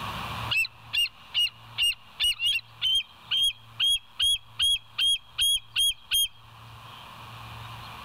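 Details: Bald eagle calling at its West End nest on 20 July 2023 at 05:04, caught by a live camera: a long run of roughly fifteen shrill, slightly rising chirps, about two per second, over a faint low hum.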